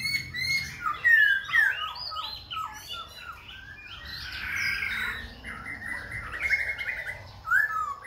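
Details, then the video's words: Khe Sanh laughingthrush singing and dancing while switching voices continuously. A string of sharp, slurred whistles gives way to scratchy chatter, then stepped, rising and falling whistled phrases and a final bright upslur. "Khướu Khe Sanh hót múa đảo giọng liên tục"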